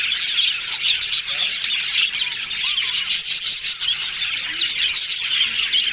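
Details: Yellow budgerigars chattering happily: a dense, continuous flock warble of overlapping high chirps, squeaks and scratchy notes with no pauses, plus faint clicks.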